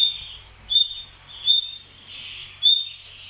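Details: A female nightingale in a wire enclosure, on her young in the nest, gives thin, high, pure whistled notes, each brief and steady in pitch, repeated about every second, over a faint low hum.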